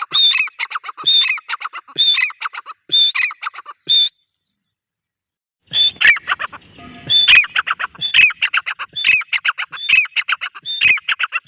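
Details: Grey francolin (teetar) calling in loud, ringing phrases. Each phrase starts with a high whistled note and runs into a stack of rapid clipped notes, repeated about once a second. There is a short gap midway, then the phrases resume.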